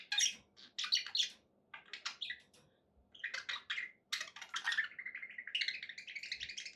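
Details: Happy budgerigars chatter in scratchy bursts of chirps, ending in a longer buzzy warbled phrase, over a faint low background hum.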